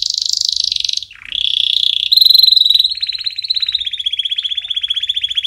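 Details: Singing canary, used as training song for chicks: long, rapid, even trills around one pitch with a brief dip, then a steady pulsing roll of fast repeated notes.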